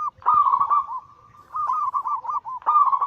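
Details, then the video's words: Zebra dove anggungan song from a lure recording of many birds, Bangkok local and cemani crossings. Bubbling, quavering coos come in three loud bursts with a level, sustained tone bridging them. "Masteran Pancingan harian burung perkutut Anggungan paling ampuh langsung emosi gacor"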